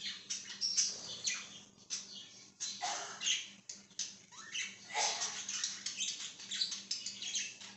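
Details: Budgerigar chirping busily in continuous harsh, rasping chatter with frequent abrupt loud squawks and clicks, dense and unbroken throughout.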